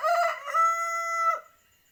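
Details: Male village chicken crowing: a loud, harsh opening burst, then a long steady drawn-out note that holds for about three-quarters of a second before breaking off abruptly.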